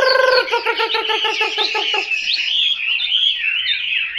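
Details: Chinese hwamei opening with a quick series of harsh, nasal, evenly spaced notes for two seconds, then switching to high, sweet, warbled whistling phrases.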